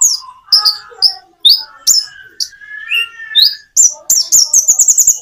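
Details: Common iora singing with natural pauses, meant to coax birds that seldom sing into replying. Scattered high chirps and a rising whistled phrase give way to a fast run of bright repeated notes at the end.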